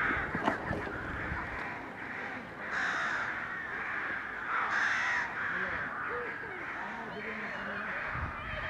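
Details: Dense chorus from a crowded crow colony recorded in May 2020 beside washing mallard ducks: overlapping caws blend into a continuous harsh din, with two louder raucous calls standing out about two seconds apart.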